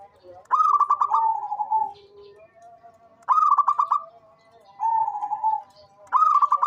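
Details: A local zebra dove, rated as an active lure singer, repeats its song three times: a quick pulsed burst of coos, then a smooth lower drawn-out note, with soft lower tones between.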